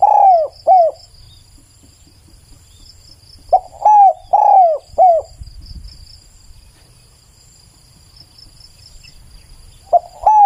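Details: Low, hollow cooing from a spotted dove. Phrases of three to four slurred, gently descending notes, three phrases separated by long silences, over a constant high-pitched insect hum.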